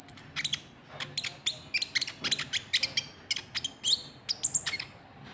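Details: Konin trotol, the white-cheeked bulbul, giving calls used to provoke rival birds: a steady run of crisp, high, clipped chirps roughly every third of a second, with a few slurred whistles mixed in.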